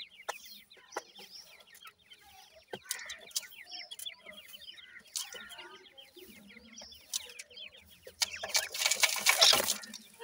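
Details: A brood of Dakhni francolin chicks peeps rapidly in a dense chorus of high, falling notes, with taps and thumps throughout and a loud burst of broadband rustling near the end.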